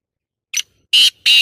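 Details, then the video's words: Black francolin giving a brief harsh call: one short scratchy note followed by two loud, long, grating notes; little else audible. "Full masti wali voice tater totes ki bhot saf awaz black tater birds"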